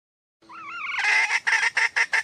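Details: Wild female red junglefowl calling: a thin, wavering whistled note slides up and down, then breaks into loud, harsh, nasal notes repeated about five times a second.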